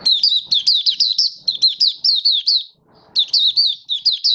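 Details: Oriental white-eye, Malaysian mata puteh kept in a cage, in buka sing on 1 August 2023: a fast unbroken string of high, down-slurred sweet notes, a brief break, then the same lively twittering again.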